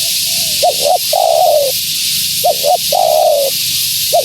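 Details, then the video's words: Female spotted dove call meant to attract wild doves: two cooing phrases of quick paired notes ending in a long, gently falling croon, with a steady hiss throughout. "Suara Burung Tekukur Betina Gacor‼️Tekukur Liar Pasti Tak Tahan Mendengar Suara Ini"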